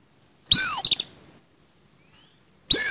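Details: Fighting oriental magpie-robin with a rough fill-in song: a loud, buzzy burst of arching whistled sweeps and stuttering clicks, then a pause of nearly two seconds before the next harsh phrase starts.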